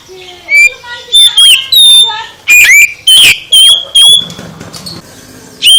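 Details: Oriental magpie-robin song aimed at prompting a sluggish bird to sing: loud repeated whistled notes and downslurs with rasping squawks, about ten bursts in close succession, then a brief pause and a final whistle.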